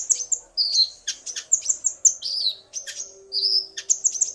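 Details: Male common iora singing, excited by a female's call, with a male and female calling back and forth: bright whistled notes and quick chattering chirps, rising and falling, repeated in short bursts with brief pauses.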